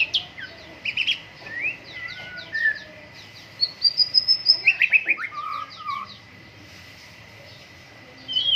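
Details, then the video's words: White-rumped shama singing during morning dew airing: varied whistled phrases, high trills and rapid chirping bursts, short sweet notes between, with a steady faint high tone throughout. "MURAI BATU GACOR, PROSES BURUNG MURAI PENGEMBUNAN PAGI"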